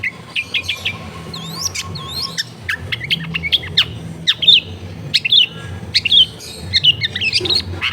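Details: Long-tailed shrike (cendet) in full song, used as a lure for shrikes reluctant to sing, recorded at a home in a densely populated area: rapid chattering run of short rising whistles and chirps, low background hum.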